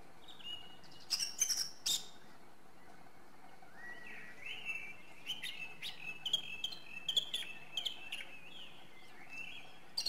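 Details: Song thrush singing: a few loud, scratchy high bursts open, then a long stream of rapid, clipped chirps and short whistles, the notes tumbling in quick succession over a steady birdsong background.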